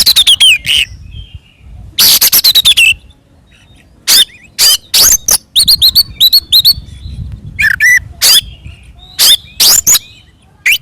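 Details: Oriental magpie-robin singing a combative, provoking song meant to stir rival birds: loud harsh rasps and bright whistled downslurs in short clustered bursts, separated by brief silences, with rapid stuttering runs of clipped notes.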